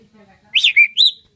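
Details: An Asian pied starling, a lively singer known for imitating human voices, gives three quick slurred whistles that rise and fall in close succession against a quiet background.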